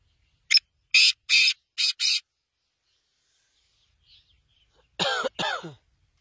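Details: Black francolin giving a harsh, grating call of five buzzy broadband notes, a short first note then paired longer ones over about two seconds, followed after a pause by a man's voice or cough.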